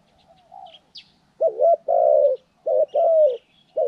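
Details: Spotted dove used in bird-trapping training, recorded January 14, 2020: low hoarse two-part coos, a short note then a longer drawn one, repeated twice, with faint high chirps of small birds behind.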